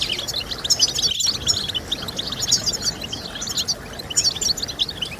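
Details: European goldfinch song for motivating singing: busy high chattering twitter in rapid runs, briefly dropping out just after the first second, then resuming in bright clustered bursts over soft hiss.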